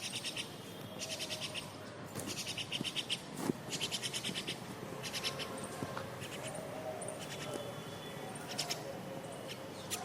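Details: Myna parents feeding a grown chick that already searches and eats for itself, with scolding among them; harsh, buzzy bursts of calls repeated in quick clusters, with brief pauses and faint background hiss.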